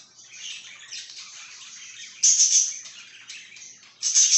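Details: Budgie chatter: a low-key, raspy, high warble, then a burst of loud, clustered chirps after two seconds and another loud burst near the end.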